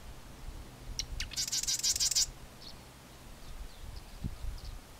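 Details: A Marsh Wren at Johnson Log Pond, Coos County, Oregon, on 2 April 2020, gives a quick burst of song: a few sharp ticks, then a dry, rapid, buzzy rattle lasting about a second, over a soft low rumble.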